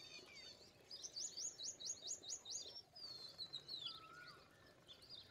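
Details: Indian pied myna: a neat run of about seven rising, hooked chirps, then a long thin whistle and a lower slurred note.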